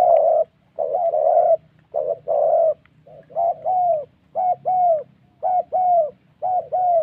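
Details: Spotted dove used as a trapping decoy in the wild Central Highlands of Vietnam, giving the "thổ" style of coo: low, hollow two-part coos repeated in steady bursts about once a second, with faint background hum.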